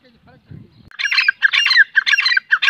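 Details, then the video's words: Francolin giving loud, rasping, chattering phrases in quick succession, each a grating burst repeated roughly twice per second, after a brief quiet low rumble at the start. "teetar ki boli | teetar voice | teetar ki awaaz | teetar | francolin voice"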